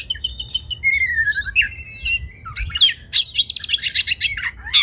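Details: Oriental magpie-robin song for training race birds: high twittering whistles, a falling wavering phrase, then bright buzzy trills and fast repeated chattering notes, with a faint hum behind.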